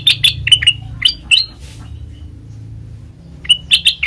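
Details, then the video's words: Black-crested bulbul song for luring birds into traps: bursts of sharp chirping notes, a pause of about two seconds, then more quick chirps. "Suara Asli Kutilang Emas Pancingan Pikat Masteran"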